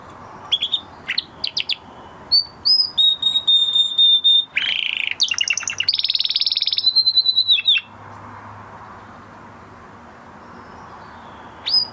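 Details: Male canary singing after its moulting period: a varied run of high whistled tours, with sharp chips, a steady pure trill, a buzzy burst and a rapid rattle, then a pause before one last note.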